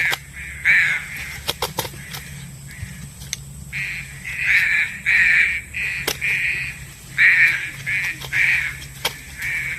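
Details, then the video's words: Green pigeon lure call for trapping, with sparse clicks at first, then a run of hoarse, even-pitched notes in quick succession, some doubled, over a constant low drone. "Poin burung Punai daun"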